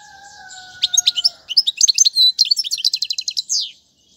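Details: European goldfinch singing as a model for young birds: two steady whistled tones fade out, then rapid bright chirps build into a rattling trill of evenly repeated notes ending in a slurred note.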